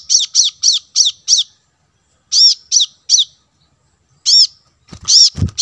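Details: Calling plain-throated sunbird, played as a lure for wild birds: a rapid run of five high arched chips, then spaced groups of three and singles, with dull knocks near the end.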